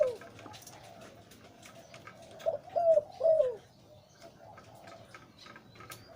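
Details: Low, mellow coos from a breeding male zebra dove known for its deep voice, rising to three louder rolling notes midway, then fading into faint murmuring.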